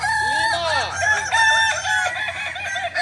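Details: Practice session of Kokok Balenggek chickens, Ampang Kualo, Kota Solok: loud tumbling crow made of many quick arched syllables, voices of further roosters overlapping throughout.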